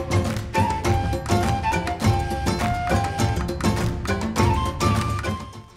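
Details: Instrumental folk-style music with a steady beat, plucked and sustained melodic notes, and a full low end throughout; no animal voices can be picked out.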